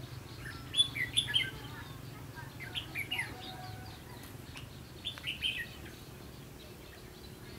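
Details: Red-whiskered bulbul recorded while being trapped on 22 October 2016. Several short phrases of lively chirped and whistled notes come in irregular groups over a faint low hum.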